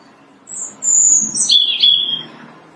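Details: Robin singing loudly from branches in March, early spring; a single high, thin phrase of whistled notes slipping from very high down to a slightly lower sustained trill, then quiet.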